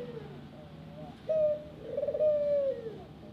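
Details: Ringneck dove kept in a small aviary, giving a soft low coo: a short tonal note, then a longer, slightly wavering coo that falls away at the end, over quiet background hiss.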